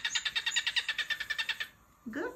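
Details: Pet cockatiel sings a rapid run of about fourteen buzzy, pulsed notes in under two seconds. It ends with a brief low, voice-like sound.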